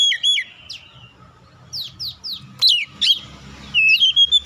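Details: Provoking song of a magpie-robin used as a lure: varied short whistles, a few quick descending chirps, and sharp upward notes, ending in a run of steady clear whistles, with brief pauses between phrases.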